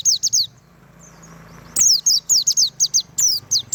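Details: Pleci, a white-eye, delivering tembakan song: quick strings of high, thin, down-slurred chips repeated about four times a second, one brief lull before a second energetic burst, over a low rumbling background.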